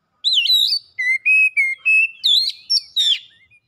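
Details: Oriental magpie-robin song, fast and loud: a looping whistled intro, a steady chain of short level whistles, then harsh buzzy bursts mixed with high slurred notes at the close.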